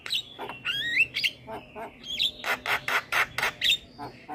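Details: Javan myna song used as a tutor recording to coax mynas that rarely sing: harsh squawks, a rising whistled slur, then a run of loud, rasping notes repeated about four times a second.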